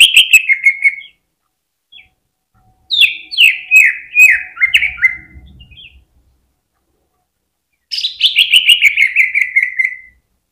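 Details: Greater green leafbird (cucak ijo) in excited 'ngentrok' singing, used to trigger other birds: three bursts of quick downward-slurred notes separated by pauses, the last a long descending rattle; a faint low rumble in between.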